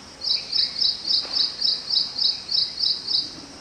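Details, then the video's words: Ashy prinia near a house on 25 May 2022 at 6:20 am repeats a high, sharp, buzzy note about three times a second in a steady even series, with soft background hiss. "Ashy Prinia sound"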